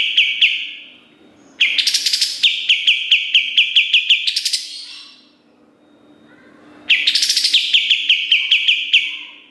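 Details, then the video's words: Kapas tembak song used as master material for training songbirds: long volleys of fast, sharp, repeated chirps, each several seconds long, separated by a short pause. "Masteran Kapas Tembak Gacor Nembak Isian Tajam Full"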